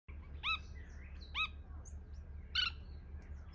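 Red-throated bee-eater giving three short, rolling, liquid calls about a second apart, with softer chirps between and a low background rumble.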